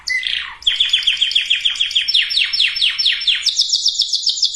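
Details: Singing canary for conditioning breeding females and males: a brief whistle, then rapid repeated rolling trill notes that shift to a higher, sharper trill at the end.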